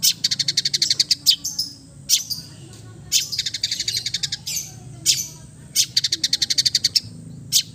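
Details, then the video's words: East Javan long-tailed shrike singing relaxed, fill-rich song to stimulate silent birds: long rattling trains of fast high buzzy pulses, broken by a few sharp separate notes and short pauses. "TERAPI CENDET BISU KURANG FIGHTER DENGAN KICAU SANTAI CENDET JATIM GACOR FULL ISIAN"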